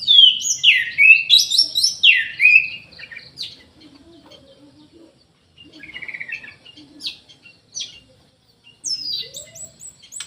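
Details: Vigorous song of an Orange-headed thrush: a fast run of rising and falling whistled slurs, followed by quieter chips and twitters and a final high burst of thin notes.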